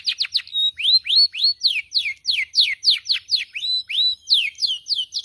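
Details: Canary song used as a training recording to prompt captive canaries to sing: loud, rapid series of sweeping whistled notes, each sliding downward, repeated about three to four times per second without pause.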